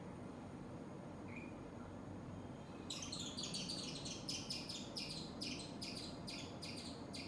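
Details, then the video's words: Black-rumped flameback drumming: after a quiet start, bursts of sharp, dry raps repeat about every half-second over a steady low background rumble. "Woodpecker Drumming"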